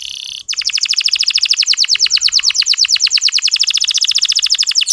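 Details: Local canary singing a lure song for getting other male canaries going: a brief buzzy note, then a long, loud, very even trill of rapid high pulses lasting over four seconds.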